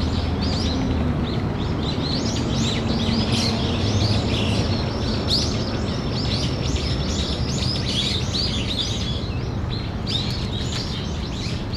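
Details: Possible earthquake-warning calling by brown-eared bulbuls, mid-afternoon, 14 October 2015: many quick high arching chirps crowd together without pause, with one thin steady tone near the middle and a constant low background roar.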